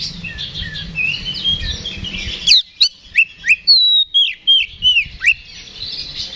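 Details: Oriental magpie-robin in fighting mood, a lure recording meant to provoke response: soft blurred warbling first, then a string of loud, clean whistled notes, some slurred downward, each separated by brief pauses.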